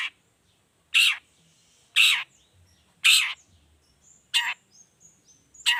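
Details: Energetic long-tailed shrike in 'toet toet' variation, a lure to make other shrikes sing: rough, scratchy notes repeated about once a second, with faint high thin whistles in between.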